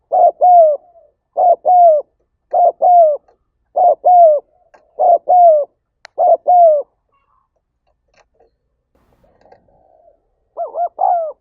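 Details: Spotted dove in 'thúc gáy gọi' urging call, used to excite decoy birds: six loud double-note coo phrases in steady succession, then near silence with faint murmurs and a final rising coo phrase.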